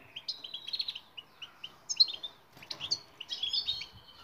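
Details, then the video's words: Goldfinch song meant to teach silent birds to sing, a string of quick high chirps and tinkling notes in short phrases separated by brief gaps. "بتبتة المقنين الصامت لحل جميع المشاكل السكوت.. jilguero"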